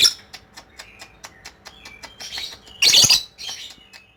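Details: Lovebird ngekek: thin squeaky notes and soft ticks build to one loud, coarse, rasping burst, followed by a quieter scratchy chatter.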